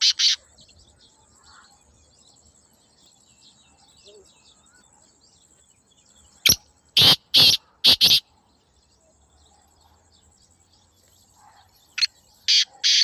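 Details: Black francolin (kala teetar) calling repeatedly in a natural setting. A harsh phrase at the start is followed by a quiet stretch, then a five-note grating phrase with a closing double note. Another rasping phrase begins near the end.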